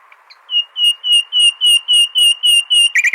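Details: Common nightingale, sung as a model for goldfinches: a string of about ten pure, sustained whistled notes on one pitch, repeated steadily, ending in a brief buzzy rattle.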